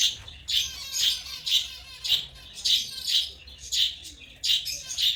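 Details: African lovebirds chirping rapidly, each note a harsh, high, rasping burst, repeated roughly twice a second with uneven spacing.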